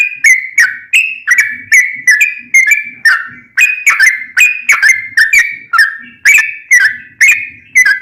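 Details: Sooty-headed bulbul in energetic, fighting-style song, used as a tutor for caged birds that have stopped singing: loud whistled notes near one pitch, each opening with a sharp click, repeated about twice a second, with faint low chatter beneath.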